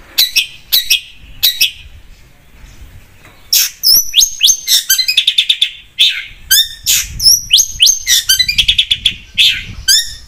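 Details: Long-tailed shrike (cendet) singing energetically as a lure recording: sharp high chirps, then dense runs of rising and falling whistled notes and trills, delivered quickly with brief pauses.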